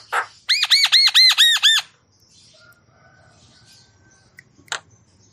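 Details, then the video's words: Javan myna song used to rouse stressed or quiet mynas: a quick run of about seven harsh, arched, harmonic notes lasting under two seconds, then near silence broken by one short noisy burst. "Suara Khas Jalak Kebo Gacor Full Isian Untuk Jalak Kebo Stres Jalak Kebo Malas Bunyi"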